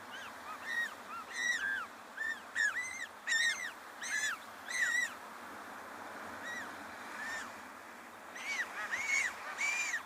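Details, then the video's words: Unseen African penguin chicks begging for food in their nest from the adult that took over their care: a busy run of bright, arched, nasal peeps, often in quick pairs or triplets, pausing midway before resuming. "see what's going on in the nest of course but you can definitely hear"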